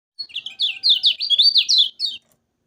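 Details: Yellow-vented bulbul song, a training recording for birds that sing too little: a quick, continuous chattering run of bright warbled and twittering high notes lasting about two seconds in a quiet background.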